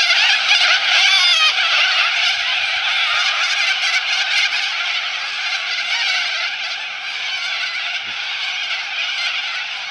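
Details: Cockatoos on the Balerine, Victoria, a flock calling together in a continuous wall of harsh, raspy screeches that overlap without pause, loudest in the first seconds and easing slightly toward the end.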